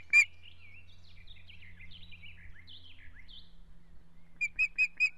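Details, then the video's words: Struggling one-week-old ospreys in an Estonian nest, June 2017: a loud squeak, then a string of thin twittering chirps, ending with a quick run of sharp repeated high peeps over a faint hum. "Battle of small ospreys."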